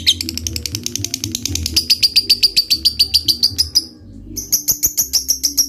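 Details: Fighter lovebird ngekek, used as a lure that rivals answer quickly: rapid high chattering notes that break off briefly, then resume at the same brisk pace, over a low hum.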